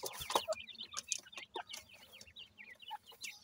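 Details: Grey francolin chicks feeding, dakni teetar in local speech; quick, high, downslurred cheeps come in a rapid irregular patter, mixed with rustling and clicking from pecking.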